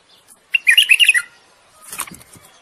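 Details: Common bulbul courtship song meant to prompt a female to breed: one rich, rapid warbled phrase, then a soft fluttering rustle.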